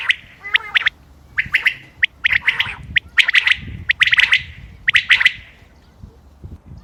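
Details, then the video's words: Common quail, recorded 28 May 2025, giving sharp, liquid clipped notes in quick pairs and triplets, repeated about once a second, with a lower buzzy, rasping note near the start, over a quiet background. "quail bird sounds common quail bird sounds بٹیر کی آواز"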